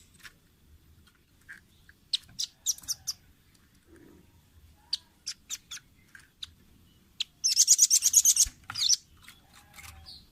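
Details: Velvet-fronted nuthatch on a training recording for caged birds: sparse thin high ticks and chips, then a dense, rapid, very high trill lasting about a second before quieter scattered notes.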